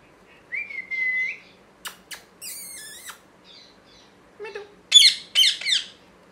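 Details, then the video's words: Parrot giving a varied run of sounds: a steady whistled note, then harsh rasping squawks, a wavering whistle and short scratchy bursts, ending in three loud grating screeches in quick succession, in a quiet room. "Parrot Chirping Sounds"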